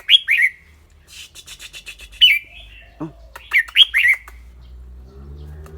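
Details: Red-whiskered bulbul, noted for its clear voice, singing and chattering: paired bright whistled notes at the start, a quick burst of dry ticking, then further loud whistled pairs, and a low murmur near the end.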